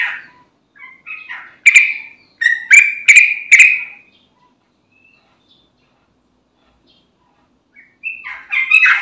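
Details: Lure recording of a vigorously singing yellow-vented bulbul for prompting other bulbuls: a few soft notes, then a burst of loud, sharp warbled phrases lasting about two seconds, a long pause, and another rising chattering phrase at the end.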